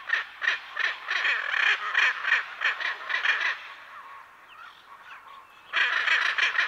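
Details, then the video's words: Pair of Hyacinth macaws calling, other parrots and birds in the background: rhythmic harsh squawks about three per second, a brief lull with faint distant calls, then the loud grating series resumes. "Hyacinth Macaw. MCU-MD Calls From A Pair."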